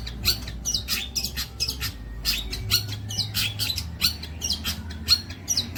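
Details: Songbird training material of a long-tailed shrike: rasping squawks and short curling whistles in a rapid, uneven series, with a low steady hum in the background.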